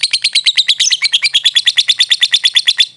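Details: Lovebird, a world-champion competition bird, delivering a loud, steady, rapid series of buzzy, high notes, about seven a second, kept up for the whole stretch.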